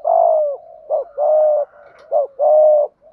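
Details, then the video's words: A Malaysian-type spotted dove performs the thúc gù cooing style: a clear, mellow coo in which short rising notes alternate with longer level coos, about three phrases in three seconds, with no other sound. "Tiếng chim cu gáy thúc gù, cu gáy malaisia gù thúc bài bản"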